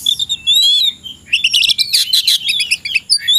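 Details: Caged oriental magpie-robin in the afternoon, said to be ready to fight a rival, pouring out a fast, loud, high song of whistles, chips and rattling notes with barely any pause.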